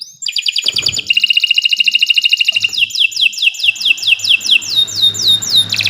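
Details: Canary training song: a sharp rapid trill flows into a rhythmic run of repeated downward-swooping whistles, with faint low background noise.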